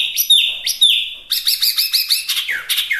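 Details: Chinese hwamei singing energetically, clear sustained whistles broken by sharp upslurs, followed by a fast rattling series of looping notes and descending slurs.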